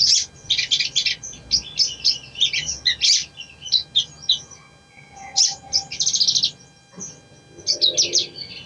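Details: Sogon, the ruby-cheeked sunbird, sings a recording meant to stir a reluctant bird into song: rapid high-pitched twittering runs and buzzy trills, broken by brief pauses, with a faint mid-pitched tone in places.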